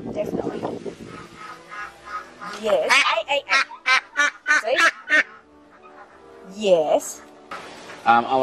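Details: An 8-week-old female domestic duckling with a black ring on its right leg gives an angry burst of about ten loud, harsh, nasal quacks, the quack showing it is a girl; people talk before and after.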